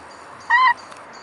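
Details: Mute swan at Carolasee on 23 June 2016, evening at 21:36: a single short, nasal, horn-like note with a steady pitch, lasting about a quarter second, in an otherwise quiet setting.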